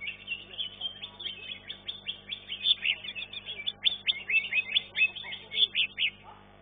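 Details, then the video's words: A green leafbird singing at a bird-song contest, where it placed third, pours out a fast, high, chattering song of sharp slurred notes and trills, with faint background voices. "C IJO RAMPOK"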